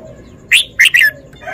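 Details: Red-whiskered bulbul, a caged bird showing off its song phrasing, sings a short three-note phrase: a rising whistle, then two quick warbled notes falling at the end, in a quiet setting.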